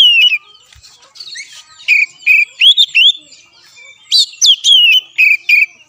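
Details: Oriental magpie-robin song used to coax a caged bird into singing: loud whistled phrases, some rising and some sliding down, given in quick bursts with short pauses between, mixed with sharp clicking chips.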